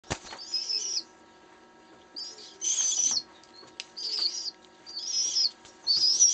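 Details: A rescued baby pigeon with a hooked bill begs for food with high, wheezy squealing bursts about once a second, mixed with fluttering wing sounds, over a faint steady hum.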